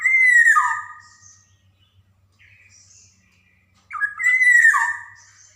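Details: Black-naped oriole from Java singing a lure song for young birds: a descending liquid whistle, a few faint soft notes, then another harsh-started phrase ending in a falling whistle.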